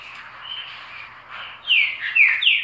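Green-winged Saltator song: three loud, rich, downslurred whistles in quick succession, following a second and a half of soft, faint twittering.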